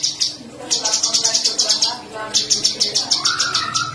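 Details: Sooty-headed bulbul song variations used as tutor material for competition birds: rapid buzzy high-pitched bursts repeated in quick series, pausing at mid-clip, then resuming while a steady mid-pitched whistled tone enters near the end.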